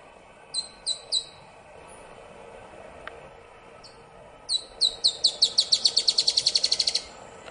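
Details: Rusty-backed antwren at Ferradura, Canela, Rio Grande do Sul, Brazil, 4 October 2016; three thin high descending notes, a pause, then a fast series of about fifteen sharp high notes quickening over two and a half seconds.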